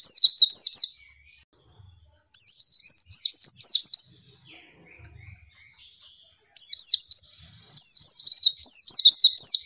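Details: White-eye female giving provoking calls meant to make lazy or group-kept males reply fast: rapid strings of thin, high, zigzagging chirps, about four per second, in two long bursts separated by a quiet gap.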